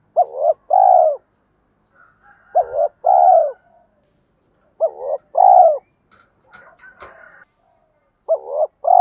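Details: Spotted dove calling to provoke males: repeated phrases of paired mellow, arched coos with pauses between them. A brief patch of faint rustling noise falls near the middle.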